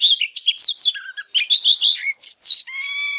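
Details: An Oriental magpie-robin sings excitedly in a training recording meant to stimulate other birds to sing, a rich, fast jumble of varied whistles and scratchy notes, ending in a drawn-out, steady harmonic whistle.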